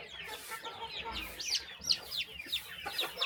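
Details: Chickens at morning feeding on a small rural farm give bright, high chirps, some sliding down and others looping, in irregular bursts about three per second over light hiss.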